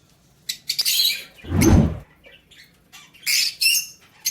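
Lovebirds give shrill, scratchy chirps in quick bursts, with a low thump or flutter midway and a room-like background.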